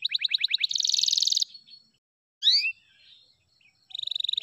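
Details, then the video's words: F2YS canary song: a rapid run of falling notes into a dense high rattle, a pause, a loud double swooping whistle, then a steady even trill. "DURASI F2YS GINI || PASTI SYAHDU LAGUNYA"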